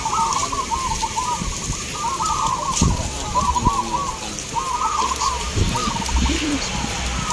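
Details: Zebra doves singing at a local perkutut song contest in Baratan village, Boyolali, Central Java, Indonesia: repeated rolling, bubbling coo phrases with short pauses, amid crowd noise, thumps and background chatter.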